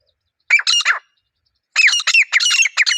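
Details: Wild grey francolin pair calling in a natural setting: a short burst of harsh, grating notes, a pause of under a second, then a longer rapid string of loud, rasping notes with downward-slurring whistled tones.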